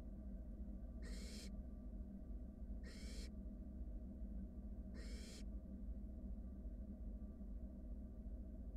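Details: Three rasping hiss-snores, evenly spaced about two seconds apart, from wild barn owl nestlings huddling in a monitored nest box as their sibling swallows a rat, over a steady low hum.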